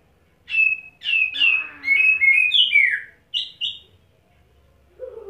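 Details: Oriental magpie-robin (kacer) in wet-setting conditioning, holding one perch and pouring out its fill phrases: a burst of bright, sliding whistled notes, some buzzy, then two short whistles and a softer low note at the end.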